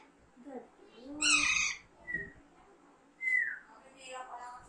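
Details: Pet Alexandrine parakeet, a young bird raised from a chick and being taught to talk, gives one grating squawk in the middle, among soft chatter and a person's murmuring.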